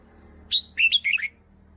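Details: Red-whiskered bulbul song used to train young birds: one short, clear whistled phrase of about five quick notes, opening high and stepping downward into a slurred, warbling finish, over a quiet background.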